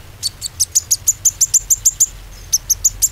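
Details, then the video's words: Lure song of a konin meant to make a quiet konin sing again: rapid series of very high, clipped chirps about three a second, a short pause, then the same quick chirping resumes over a low hum. "PANCINGAN KONIN ‼konin macet pasti gacor kembali"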